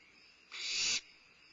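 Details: A limping barn owlet at Starr Ranch, feeding at midnight on 22 May 2011, gives a single harsh, breathy hiss lasting about half a second, rough and high-pitched, over a faint background hush.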